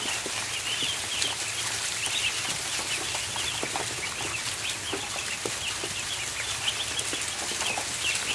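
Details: Ducklings crowding the barn floor during feeding, with high-pitched peeps scattered throughout, some in quick bursts, under constant scratchy shuffling and tapping.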